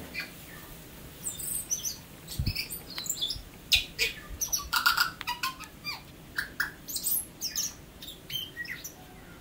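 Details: Native tui of New Zealand in full song: a dense, rhythmic run of sharp clicks, knocks and squeaky notes mixed with brief whistles, rising in intensity through the middle.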